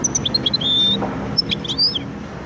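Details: Goldfinch × canary hybrid singing in Widani style: tinkling high notes, a drawn-out level whistle near the middle, then a burst of varied twittering over a faint low hum.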